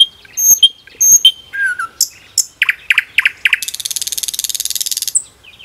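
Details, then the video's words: Common nightingale singing in a forest: clear high whistles and a low slurred note, then four sharp rising strokes, then a fast, dry, rattling trill of about one and a half seconds, closing with a brief whistle. "Magic singing of a nightingale"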